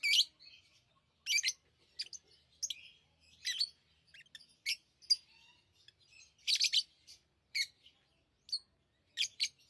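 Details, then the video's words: Tame lovebirds giving sharp, high squeaky chirps in uneven bursts, some doubled, with quieter chatter filling the gaps over about ten seconds. "Love birds Sounds | lovebirds chirping sounds"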